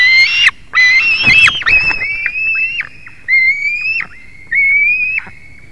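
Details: A white-tailed eagle at a nest in Latvia on 21 July 2019 at 22:10 gives thin, high whistled notes, each held level then dropping off sharply, about once a second, with a brief clatter early on.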